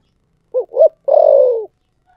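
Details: Single thổ sấm style phrase from a spotted dove: two short, rounded hoots, then one long, steady, low coo that slowly drops in pitch, against silence.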